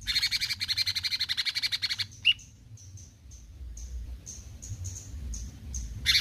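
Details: A cucak cungkok bulbul, locally called a besetan singer, gives a two-second harsh rapid-pulsed rattle, then a short upslurred note and a run of faint, high, evenly spaced ticks before the rattle resumes.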